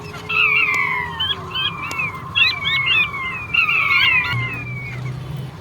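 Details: Male king quail calling: clear whistled notes that slide downward come in overlapping bursts. A steady low hum and a faint rumble run underneath.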